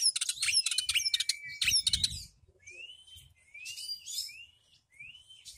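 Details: Oriental magpie-robin kept at home, opening with dense rapid trilled chatter, then a pause and several separate upslurred whistles repeated at a steady pace.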